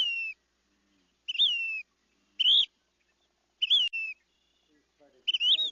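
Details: Whip-poor-will recorded in Zion National Park repeats its clear, whistled three-part phrase about once a second, each note swooping up and then down; the background is otherwise still.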